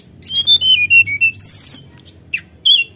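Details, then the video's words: Forktail sounding off to provoke rivals: clear level and downslurred whistles in a quick series, a stuttering run of short notes with a high buzzy overtone, then two sharp slurred notes. "suara tledekan gunung memancing emosi lawan"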